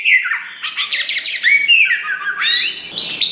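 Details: Kacer (Oriental magpie-robin), described as a wulung type, loud and in full song while spreading its tail; rich varied phrases of whistles, harsh squawks and chattering notes, with rising and falling whistled slurs.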